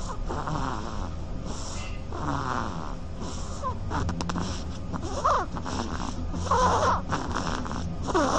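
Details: Duckling snoring while asleep, a run of raspy, breathy snores recurring roughly every second or two across eight seconds, a few louder ones near the end, over a constant low background hum.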